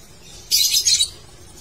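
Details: Lovebird giving a single short burst of harsh, raspy, high chattering, about half a second long with two or three pulses, against a quiet background.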